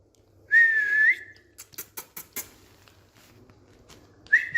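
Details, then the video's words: An Indian green ringneck parrot on a bed indoors gives one long wavering whistle. Several sharp clicks follow, and a brief rising whistle closes the passage. "Smart Whistling Indian Green Ringneck Parrot Talking on Bed"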